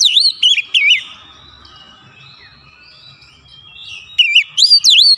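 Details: White-rumped shama singing as a provoking lure: a few loud, swooping whistles at the start, a quiet gap, then another burst of bright, repeated whistled notes.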